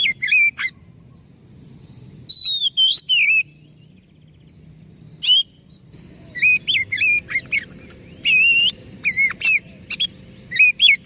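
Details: Lure song of a white-rumped shama, played to make a stressed or silent bird sing: phrases of pure whistles, rising and falling warbles and sharp ticking notes, separated by pauses, over steady low hum.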